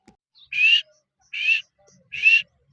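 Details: Female grey francolin (teetar) calling: three loud, harsh, buzzy notes, each about a quarter second long and slightly rising, spaced roughly 0.8 seconds apart over an otherwise quiet background.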